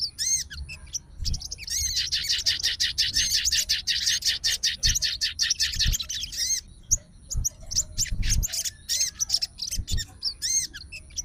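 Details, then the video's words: Fighter sooty-headed bulbul, wing-fluttering and worked up, responding at once to a rival's song: extended fast strings of buzzy chattering notes, a brief lull, then more scratchy bursts and arched whistles, with dull thuds beneath. "SOGON FIGHTER LANGSUNG RESPON DENGAR SUARA SOGON GACOR"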